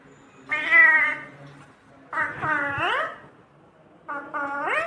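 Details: Caged pet talking parrot making three drawn-out, nasal, meow-like calls with bending pitch, each close to a second long, separated by short pauses, over a faint low hum.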